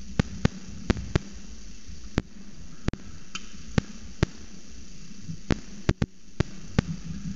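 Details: Scattered sharp clicks and taps over a low hum, with no animal voices.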